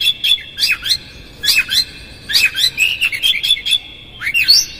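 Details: Oriental magpie-robin singing a 'konslet' lure song with rough fill-ins, meant to make a rival bird excited and open its tail: short clusters of sharp, squeaky whistled notes repeated roughly every second, ending in a rising high flourish.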